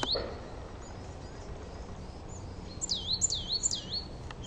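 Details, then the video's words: Coal tit in a garden, a song variation of three high swooping notes that drop and curl back up, coming late after a quiet stretch with faint background hiss. "Coal Tit Song"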